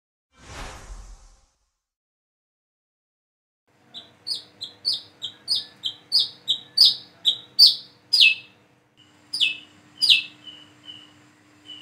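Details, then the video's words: A plain-throated sunbird (wiceh) learning to sing and practising its call: after a short burst of noise and about three seconds of silence, a quick run of sharp, high chirps follows, roughly two per second, with a faint steady hum behind. "PANCINGAN SUARA BURUNG WICEH KOLIBRI KELAPA BIAR BISA WICEH WICEH"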